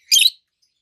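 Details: Single short harsh chirp from one of two healthy adult green peach-faced lovebirds, one red-faced and one yellowish white-faced; a burst lasting about a quarter second, then silence.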